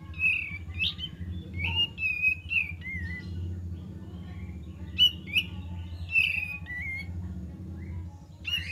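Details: Kapas tembak singing as a lure recording: repeated short whistled phrases, some wavering and some falling, separated by short gaps, with a constant low droning hum beneath.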